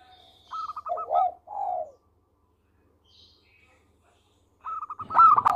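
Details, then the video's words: Local zebra dove in song: quick clipped notes running into warbling, falling coos, a quiet gap, then a loud, crowded burst of rapid notes. "Perkutut Lokal Gacor Suara Merdu"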